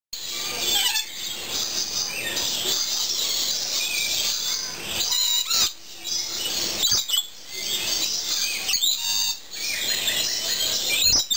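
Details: A busy flock of free-flying lories at a bird park keeps up shrill, high, overlapping chattering screeches without pause, with a few brief louder squawks standing out.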